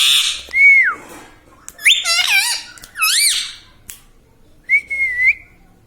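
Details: Pet parrot indoors, said to talk and say "Mummy": a sliding whistled note, then two bursts of harsh, rising and falling squawky syllables, a short click, and a final whistled note with a slight upturn, in a quiet room.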